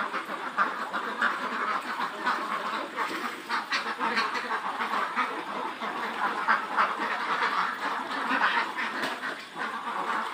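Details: Farmed Khaki Campbell ducks, a flock of some 400 birds aged over 110 days in Muktagacha, Mymensingh, keep up an unbroken mass of harsh overlapping quacking with frequent louder bursts standing out.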